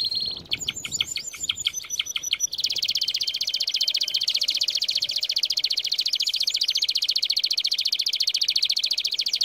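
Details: Training song for canaries with a singing canary: a short burst of quick descending chirps, then a long, even, rapid trill held steadily at one high pitch for several seconds.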